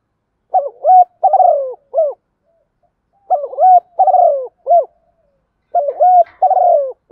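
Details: Spotted dove decoy call used to attract other birds: clear mellow cooing phrases of several notes, repeated in three groups separated by silences of about a second.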